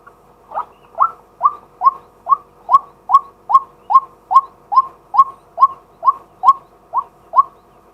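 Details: White-breasted waterhen, a male, calling by day during decoy luring, captured live on a fixed camera: about sixteen even, rising croaky notes delivered at a steady pace of roughly two per second in an otherwise quiet setting.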